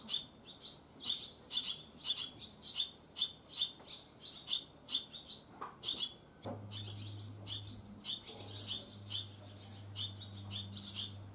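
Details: Fledgling barn swallows, first day out of the nest: rapid, high, buzzy chirps repeated several times a second, fading after six seconds as a low steady hum takes over.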